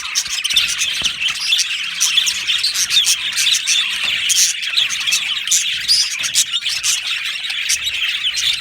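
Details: A budgie colony in an aviary chirps and warbles continuously; many birds overlap in a lively high chorus of short tweets and rasping squeaks.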